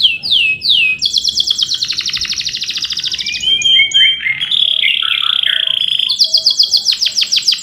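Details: Male canary in full song, a lure ('pancingan') song with rolling trills ('ngerol cuit cuit') for tutoring young canaries: downward-sweeping whistles, then long rapid buzzy trills, varied warbled notes, and fast repeated chirps at the end.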